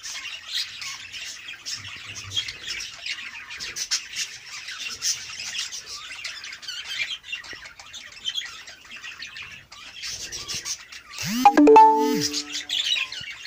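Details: A mating budgerigar gives a steady, scratchy warbling chatter, broken near the end by a louder squeaky call. Budgerigar.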